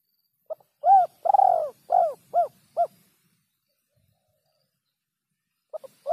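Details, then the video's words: Spotted dove uttering a clear 'kuk 3' type call: a burst of about six low, rounded coo notes in quick uneven rhythm, a pause of silence, then the next phrase beginning. "suara burung terkukur kuk 3"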